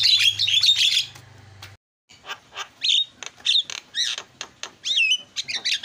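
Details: Javan myna song used as a lure for a silent caged myna. A loud burst of harsh rasping chatter comes first, then a short gap, then separate squawks and bent, slurred whistles, about two each second.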